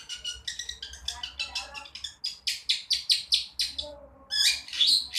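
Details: A long-tailed shrike still learning to sing delivers a rapid, uneven chatter of scratchy, buzzing notes, briefly pausing before a louder harsh burst at the end, with a soft low hum underneath.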